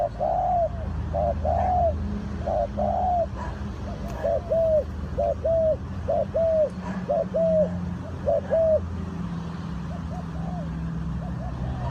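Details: Spotted doves at a bird trap give soft rounded coos in quick series, fading later in the passage, against persistent low-pitched rumble and faint background noise.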